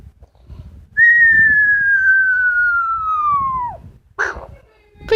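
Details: Long descending whistle from a pet female Amazon parrot indoors, held nearly three seconds and sliding lower at the end, followed by a short squawk.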